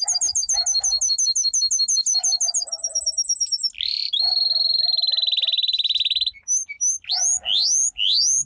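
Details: Domestic canary pet bird in full training song: quick repeated high notes, a long steady buzzy rolling trill lasting about two seconds, then rising whistled sweeps, with faint lower chatter beneath.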